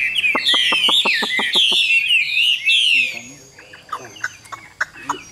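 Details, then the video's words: Caged Chinese hwamei with a yellow beak, praised for its very pleasing voice: loud warbled, rippling phrases high in pitch for three seconds, with a run of evenly spaced low knocking pulses beneath, then scattered softer chips. "CHẤT GIỌNG CỰC PHÊ"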